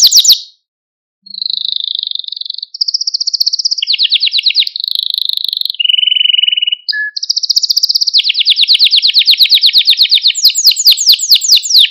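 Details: ['For stimulating and training canaries, a Malta canary sings a chain of sustained trills at shifting pitches, low buzzy rolls, a brief pause, then long rapid high rattles.']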